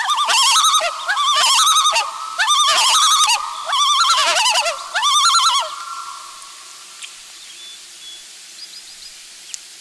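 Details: Loon parent at the nest with its chick before the family moves to the brooding area; five loud bursts of fast quavering notes about a second apart, then a held faint tone and quiet water surroundings.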